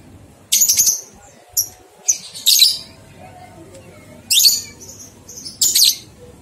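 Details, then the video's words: Lovebird ngekek song used as a master recording to stimulate two-month-old young lovebirds to start singing; harsh, high chattering bursts come in five separate clusters, with short quiet gaps between them. "Masteran Lovebird Paud 123 Ketukan Terbukti Ampuh Merangsang balibu 2 bulan Ikut Ngekek"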